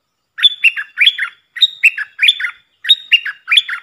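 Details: Puff-throated bulbul decoy recording played to train young birds: three bursts of chattering phrases, each a quick run of four or five whistled notes dropping and rising between mid and high pitch, repeated about every 1.2 seconds in a quiet background.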